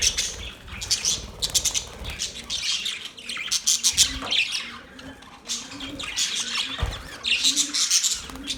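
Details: Australian budgerigars chirping in busy high twitters and squeaks, bursts rising and falling, with soft low thumps and faint lower tones in the background.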